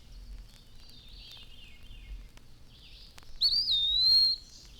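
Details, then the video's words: Eastern wood-pewee calling its name from shade trees through the day after the morning chorus has subsided: faint thin whistles at first, then one loud, plaintive, drawn-out whistle that rises briefly and slides down before fading. "The morning chorus has subsided now, but all day long we can hear from the shade trees the plaintive, drawn-out whistle of the wood pewee, calling its name."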